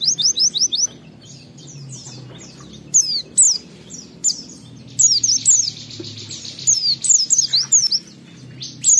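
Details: Lure song of a kept Oriental white-eye, used to spur other white-eyes into song: a rapid series of high chirps opens, followed by bursts of thin, twisting whistled notes and busy trills, with a soft low hum underneath.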